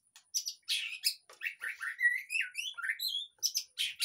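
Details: White-rumped shama lure song for a caged bird that is not singing; harsh high bursts followed by a fast series of rising whistled slurs and clear fluty notes, continuous throughout.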